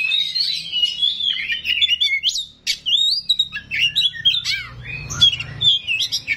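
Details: Oriental magpie-robin in full song: a rich mix of whistles, twisting slurs and harsh chatter delivered almost nonstop, with a low rumble in the background.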